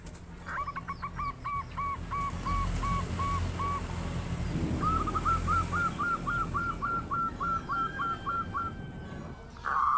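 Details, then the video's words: Local zebra dove, a loud and persistent singer, used as a lure to prompt other doves to sing; two runs of quick, evenly spaced cooing notes over steady low background hum. "Perkutut lokal gacor suara besar - Pancingan pikat merangsang agar cepat bunyi"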